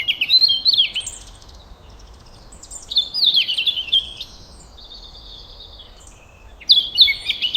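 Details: Chirping birds in a peaceful forest or garden at sunrise: bright, high twittering phrases of quick warbled notes arrive in three bursts separated by brief pauses, with a gentle background hiss.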